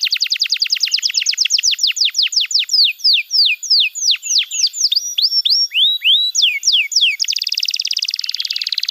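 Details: Caged canary song used as a training recording for young canaries: a fast trill of steeply falling high notes, slowing into separate downslurred whistles, then ending in a dense buzzy roll.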